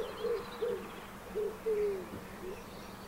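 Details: Eurasian collared dove in the mating season giving soft, low hollow coos in a short series, the last note drawn out, over faint background hiss.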